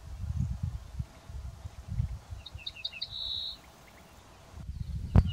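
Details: Ortolan bunting singing in countryside where several males sang from walnut trees: one short phrase of about four high clipped notes leading into a drawn-out level whistle, over steady low wind rumble and a sharp knock near the end.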